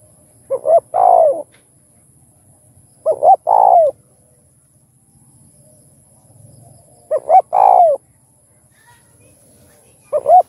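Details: Spotted dove cooing, played to stir other doves into calling; four phrases, each two short low hoots then a longer wavering coo, repeated about every three seconds over a faint low hum.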